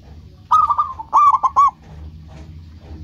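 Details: Local zebra dove singing as a lure to make rivals respond: two tight phrases of rapid, rolling hollow coos with a short gap between, then a quiet low hum.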